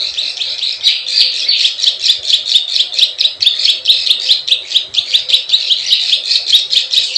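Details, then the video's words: Plain prinia lure call: continuous fast rasping chatter with evenly spaced high clicks, busy and unbroken throughout. "SUARA PIKAT PRENJAK SAWAH_KLIK KLIK_CIWAH TERBUKTI AMPUH"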